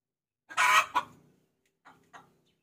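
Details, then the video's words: Hen calling the rooster, used as a lure sound: one loud harsh squawk followed by a shorter note, then two faint clucks after a pause. "Suara Pikat Ayam Betina Memanggil Jantan"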